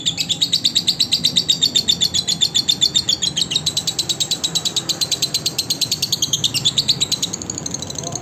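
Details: Lovebird song offered as a training recording for other lovebirds: a steady, rapid stream of high, sharp chirps, about five per second, chattering and slightly buzzy, continuing unbroken for several seconds.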